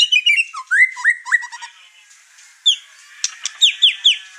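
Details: White-rumped shama, over-excited, with sliding whistled phrases and stutters, a pause, then a series of sharp descending whistled notes.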